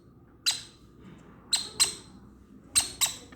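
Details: A conure chick gives five harsh, raspy squawks, single and in quick pairs, about a second apart, while being fed by syringe, over a faint low background hum.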